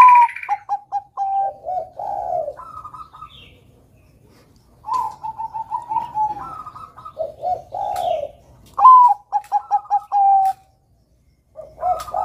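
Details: Bangkok zebra dove singing steadily to encourage young doves: several phrases, each a rising note followed by rapid short coos and a long closing coo. Softer, lower warbled coos fall between phrases, with pauses of a second or two.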